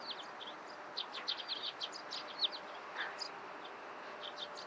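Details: Busy morning chatter of Eurasian tree sparrows: many overlapping sharp chirps in an uneven stream, strongest midway, set against constant low outdoor rumble and hiss.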